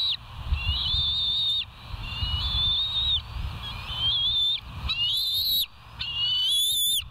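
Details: Wild bald eagles at a West End nest camera, 07:12, dated 09/06/2023: thin whistled calls with bright overtones, each held about a second and slightly wavering, repeated in five or six bursts over a steady low rumble and faint hum.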